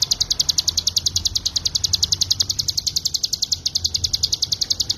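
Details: Mountain prinia (ciblek gunung) delivering full 'ngebren' song for tutoring songbirds: a steady, unbroken run of shrill, clipped notes repeated about three and a half times per second, over faint low background hum.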